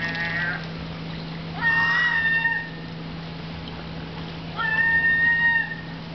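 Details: Herring gulls at Riga Zoo, Latvia, trying to steal fish from cormorants, give two drawn-out, even, mewing wails about three seconds apart, each lasting close to a second, against a constant low hum.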